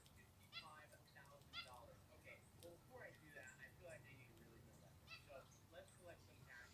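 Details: Two pet zebra finches in their daily life give short, nasal, toy-trumpet beeps, scattered irregularly every second or so, over a low indoor hum; two are white.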